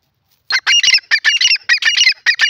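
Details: Grey francolin giving a rapid series of loud, harsh, ringing call notes in close succession, with little background sound.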